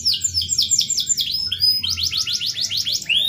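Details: Canary singing in a lively, varied song, described as 'gacor' with melodious 'cengkok' phrasing: rapid series of bright descending whistled sweeps repeated several times a second, shifting into shorter rising-falling notes, with faint low hum beneath.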